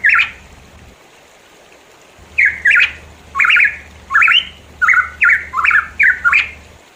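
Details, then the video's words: In the East Java mountains of Indonesia, a Pitohui gives one squawky note, falls silent for over a second, then delivers a quick series of harsh, kinked, rising-falling notes; quiet low hum underneath. "pancingan ampuh burung pitohui"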